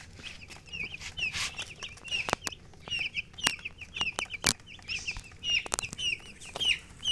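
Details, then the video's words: Chicks chirping busily beside hens, many high, downslurred peeps in quick succession, punctuated by loud clicks and knocks. "Witty MURGI Baby "Chicks Chirping" Sound"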